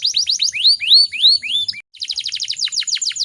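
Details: Breeding-condition female canary, used to prompt song from other canaries: quick clipped notes and rising slurred whistles, a short break, then a rapid pulsed trill of bright descending notes.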